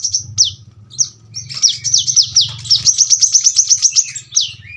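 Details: Brown-throated sunbird, called kolibri kelapa, used as a tutor for cage birds. High downslurred whistles mix with a quick string of sharp, evenly spaced notes over a steady low hum.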